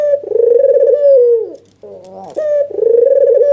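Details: Albino red-eyed white dove in an emotional nodding display, calling to goad a rival: rolling coos held on one pitch and falling at the close, split by a quieter wavering note.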